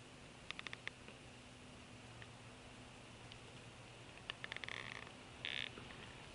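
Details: Bald eagle fussing at the nest, 10 February 2016, with a well-fed eaglet sleeping nearby. A rapid series of clipped piping notes opens, then another staccato run and a brief harsh burst, over low background hum.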